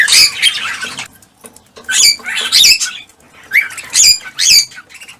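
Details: Cockatiels heard to encourage mating and breeding utter bursts of harsh, scratchy squawks and short rising chirps, grouped in three loud spells separated by brief quieter gaps.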